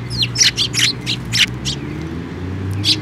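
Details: Sparrows arriving for food on a bridge over water at a shrine, 5 May 2024: a rapid close run of loud, rough chirps in the first second and a half, then quiet, then one last chirp, with low hum.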